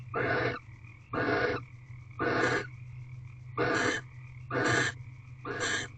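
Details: Nest-box barn owls during mating, 20th night, 5:19 am on 9 March 2023: six evenly spaced breathy, snoring hisses, each about half a second long and roughly one per second, over a constant low hum.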